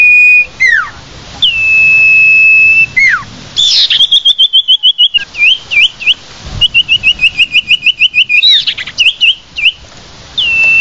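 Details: Common iora lure call for attracting the bird: a long level whistle with falling end-notes, then a fast run of short, rhythmic, bouncing whistled notes, roughly three per second, closing with another drawn-out whistle.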